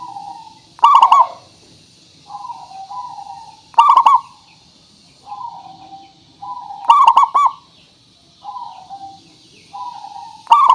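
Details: Local zebra dove in full song, used as a lure to prompt other doves to answer: loud rolling, stuttering coo phrases about every three seconds, alternating with softer, lower drawn-out coos.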